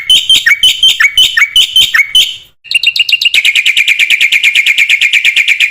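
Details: Tutor recording of a black-winged myna singing hard, meant to train other mynas: loud jerky phrases of mixed whistles and harsh notes, a brief pause, then a fast, even stream of sharp chattering notes.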